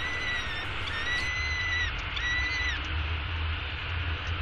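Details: Young peregrine falcon in a downtown Arizona nest during a morning feeding, 24 May 2016, nest camera: three long thin whistled whines, level then slightly falling, over heavy low traffic rumble.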